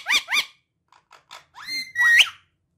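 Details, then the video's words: Pet talking parrot producing two quick arched whistles, faint soft murmurs, then a long level whistle that sweeps sharply upward at the end. "My Amazing Talking Parrot"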